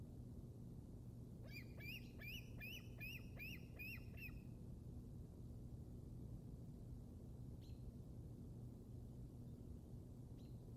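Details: Young bald eagle on the Decorah North Nest, Iowa, February 2021. A rapid series of about eight piercing, slurred chirps, then two faint isolated notes, over constant low rumbling background noise.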